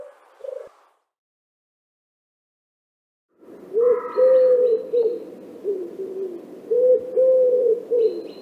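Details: A Common Wood Pigeon in Central Russia gives deep, hoarse cooing phrases in a rhythmic, repeated pattern after a pause, with higher chirps from other small birds faintly behind.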